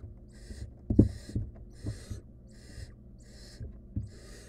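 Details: Young wild barn owl in its nest box with a stolen rodent it tries to eat alone, giving six harsh, breathy hisses in under five seconds amid scattered low thuds.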